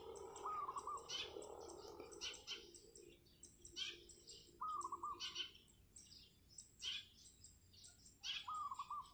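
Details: Morning song of a wild zebra dove on a roof, singing very actively: three quick, stuttering, slightly wavering coo phrases roughly every three and a half seconds, with sparrow-like chirps from other birds bursting out between them.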